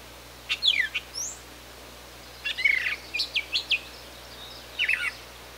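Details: Brown thrasher, Canada, singing three clusters of clipped notes: a fast downslurred pair, then a quick group of five or six sharp chips, then a short final phrase, separated by quiet pauses.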